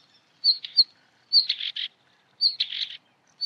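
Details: Northern wheatear song: short phrases repeated about once a second, each opening with high whistled notes and ending in a harsh, scratchy burst, with quiet gaps between.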